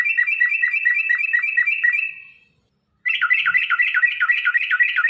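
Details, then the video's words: Lure song of a yellow-vented bulbul in ropel style for caged birds: a fast run of flicking whistles fading out, a second of silence, then a denser, wavering rapid warble. "trucukan gacor TARUNG ROPEL PANJANG pancingan trucukan agar bunyi"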